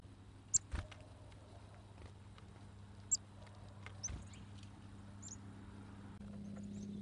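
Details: Chickadees at feeders, being hand fed: a few brief, very high, thin chip notes scattered over several seconds, standing out against a low steady hum, soft thumps and rustling of birds landing.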